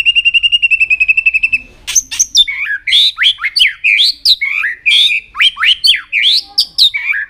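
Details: White-rumped shama song used to train a bird to sing many voices: it opens with a rapid, even trill, then pours out loud, varied whistled phrases with sweeping rising and falling notes and sharp accents in quick succession.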